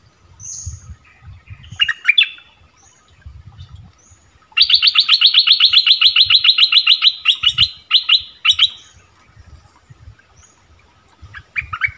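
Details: Orange-bellied flowerpecker lure recording used to attract wild birds and train young birds: sharp high chips, then a fast, even, high-pitched trill of about four seconds, with low thumping in the background.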